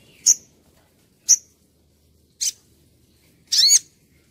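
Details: Crimson Sunbird singing actively, used to tutor other birds: four high sharp chips about one second apart, the last longer and rippling with descending inflections, on a quiet background.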